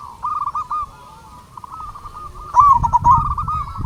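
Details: Zebra dove of local stock used as a lure to stir other doves into song; a soft chorus of rapid cooing notes continues, then a louder rolling trill bursts in near the end, with low rumbling beneath.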